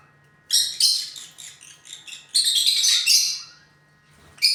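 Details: Lutino lovebirds kept as pets calling: a busy run of harsh, high chirps and squawks, dense bursts in quick succession over about three seconds, then a pause and one more sharp squawk at the end; a low steady hum underneath.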